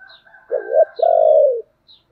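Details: Spotted dove singing in the thổ voice style, giving urging and calling coos: a short throaty rising-falling note, a brief gap, then a longer steady coo sliding down at the end, with faint high chirps from other birds.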